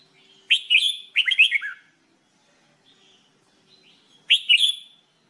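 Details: Singing-training recording of a red-whiskered bulbul (jambul bulbul): short liquid whistled phrases of several rapid notes, two close together then another after a two-second pause, in a quiet setting.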